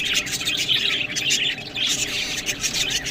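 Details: Budgerigars eating green food, a flock giving dense, continuous chirping and warbling chatter in a high register, with overlapping squeaky notes and short dips in intensity.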